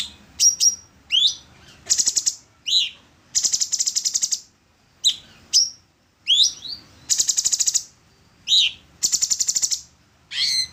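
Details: Orange-bellied leafbird song used to train songbirds: a busy run of upswept whistles alternating with repeated dry rapid rattles, each burst about a second long, with short pauses between phrases.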